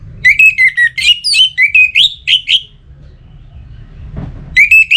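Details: Orange-headed thrush kept in Singaraja, Bali, in breeding condition and calling a rival, pours out a fast, varied phrase of chirping and slurred notes about ten in a row, pauses, then resumes; a faint knock sounds in the gap.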